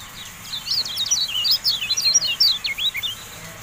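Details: Javan white-eye song in a bird-tutoring recording: a rapid, continuous string of high, thin, zigzagging whistled notes, about two or three per second, with irregular spacing over faint hiss.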